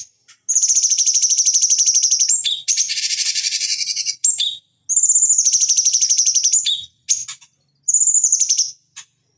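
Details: Cucak cungkok bulbul singing, recorded for training fighting birds: long pulsed trills carrying a steady high whistled tone, separated by abrupt chattering notes, repeated over several phrases.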